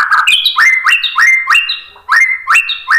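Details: White-rumped shama, played to provoke other birds to sing, delivering a repeated phrase: a sharp click followed by a rising whistled note, repeated about every third of a second, with a brief quieter gap midway.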